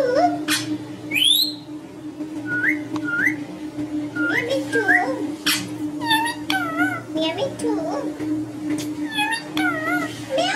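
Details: Pet Indian ringneck parakeet, a rose-winged parakeet, whistling indoors: short rising whistles and wavering whistled phrases in quick succession, over a steady low electrical hum.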